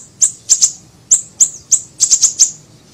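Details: Siri-siri bird lure recording: piercing high chirps given singly and in quick pairs or runs of three or four, closely spaced and crisp.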